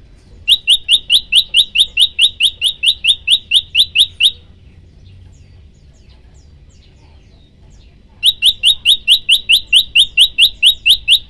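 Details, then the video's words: Prinia known locally as prenjak lumut, in a recording made for tutoring songbirds: two long runs of shrill, ringing, upslurred notes at a steady pace of about two per second, separated by a four-second pause of near silence. "tembakan 40 detik sekali napas masteran prenjak lumut"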